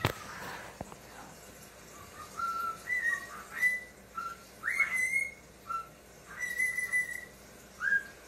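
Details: Talking cockatiel, a male pet, sees himself on screen in a dark room, captured by phone; a lively sequence of short whistled notes and upward-swooping whistles, with a clatter at the start.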